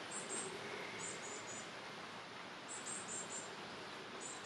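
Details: Nestling varied tits give rapid clusters of high, squeaky chirps, with short gaps between bursts, over constant soft hissing noise.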